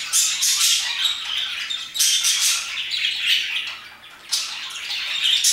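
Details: Parakeets chirping at about 2pm: quick, grating high notes in lively clusters, a brief lull, then another loud outburst of squawks.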